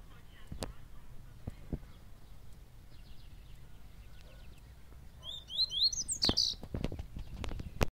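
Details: A Bahia-type double-collared seedeater sings a brief phrase of quick, high, downslurred and twisting notes that ends in a loud, rich note. Sharp clicks and knocking handling noises come before and after.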